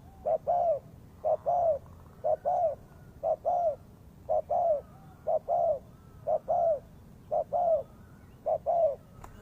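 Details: Trapping-lure recording of a spotted dove giving regular two-part coos, each a brief note then a longer drawn-out one, roughly one pair per second, against faint low rumble.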